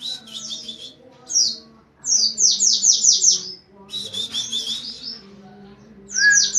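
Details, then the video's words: High, quick-fire song of an Oriental white-eye, the 'nembak rapat' style: clusters of sharp descending notes in rapid series with brief gaps, a steady low hum beneath. "Suara Pleci nembak rapett!!"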